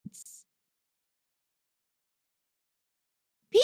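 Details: Near silence throughout, broken only by a brief soft thump and hiss at the start and a short burst of noise at the very end.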